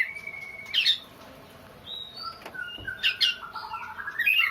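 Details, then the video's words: Oriental magpie-robin said to sound like a crying child: a flat whistled note, a harsh rasp, then varied short clear whistles and scratchy notes, ending in a rising buzzy phrase. "burung Kacer nangis tersedu"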